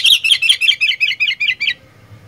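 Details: Sooty-headed bulbul, kutilang, performing 'gacor fighter' song: a rapid, loud string of about ten clear, slightly descending chirps that slow and fade near the end, then quiet low hum.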